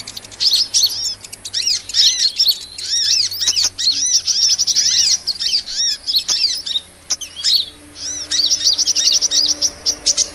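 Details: Lure recording of a sunbird (Indonesian 'kolibri') used to attract small birds: dense high, thin chirps and twitters in quick bursts, each note bending up then down, with short pauses between phrases.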